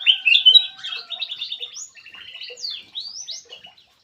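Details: Black-crested bulbul lure call with sharp whistled notes, rising and falling slurs and short chattering runs, loud at the start then softer and broken into separate phrases.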